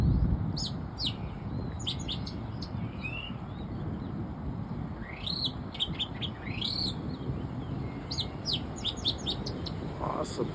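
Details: An Oriental magpie-robin (Copsychus saularis) in Bangkok, Thailand, sings varied high whistles, sharp chips and rising slurred notes in short bursts, over a steady low background rumble.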